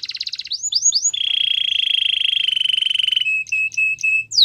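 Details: Canary song for training: a short high trill, three rising swoops, a long steady buzzy roll lasting about two seconds, then brief high chips over a lower trill.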